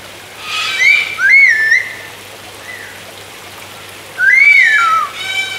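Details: Palm cockatoo whistling. Clear, pure, human-like whistled notes rise and fall in smooth swoops, in two bursts: a run of three notes followed by a pause, then one long rising-and-falling whistle with a short tail. A faint low hum sits underneath.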